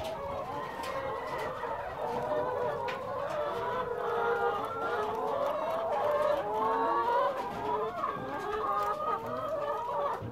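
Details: Six hundred free-range egg-laying hens on a ranch in Cuyama, California, make a dense, continuous chorus of overlapping clucks and drawn-out, wavering calls. The steady murmur of the whole flock has no pauses throughout.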